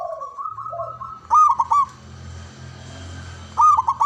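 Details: Local Java zebra dove with a large, loud voice sings soft rising coos leading into a loud, rolling trilled coo, repeated again after a pause over a low background hum.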